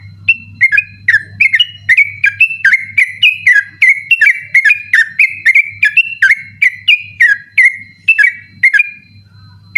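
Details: Sooty-headed bulbul singing insistently at night, used as a tutor recording for other birds: a long rapid stream of loud whistled notes, rising and falling, nearly continuous, ending abruptly, with a faint low hum.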